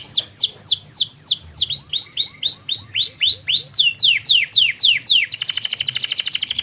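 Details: Canary singing a long song: steady series of high, falling whistled notes that dip and loop at varying speeds, ending in a rapid, dense buzzy trill.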